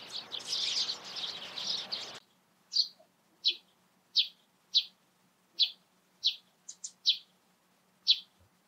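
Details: Eurasian tree sparrow in the morning: a loud burst of excited chattering, then clean single chirps spaced about every two-thirds of a second, with one quick doubled note, in quiet surroundings.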